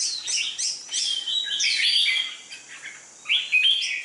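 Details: A dark-bibbed red-whiskered bulbul being trained for competition gives a lively warbled phrase of sliding whistles, a brief lull, then resumes with a few sharp notes.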